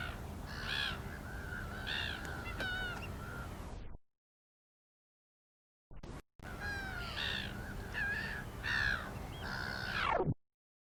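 Black-winged stilt giving nasal, yelping calls in quick uneven bursts, with a few thin whistles and a falling squeal. Two short silent breaks cut the sequence.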